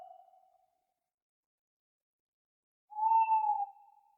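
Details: Owl at night: the tail of one hoot fades at the start, then after a long silent pause a second steady, mid-pitched hoot sounds and trails away.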